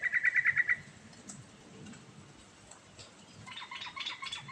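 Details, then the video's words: Sooty-headed bulbul singing nonstop with varied phrases, used to coax a silent bulbul into song: a loud quick burst of about eight chattering notes, then a fainter jumbled phrase near the end over a low background hum. "Burung Trucukan Gacor Ngerol Isian Variasi Sangat Ampuh Buat Pancingan Trucuk Macet Bunyi"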